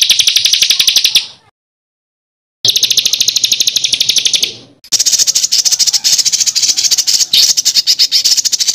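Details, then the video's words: Songbird master recording for training contest birds, with rough rolling material: high, dense, rapidly pulsed trills in spliced bursts, broken by a silent gap of about a second. "INI DIA BURUNG MASTERAN KASARAN NGEROLL || MASTERAN MEWAH UNTUK ISIAN BURUNG LOMBA"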